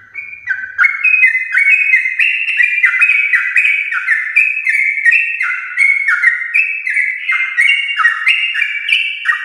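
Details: A champion-lineage Yellow-vented bulbul delivers nonstop rapid song, used to get household bulbuls singing: after a brief quiet start, liquid whistles tumble downward in quick steps, linked in a dense continuous stream.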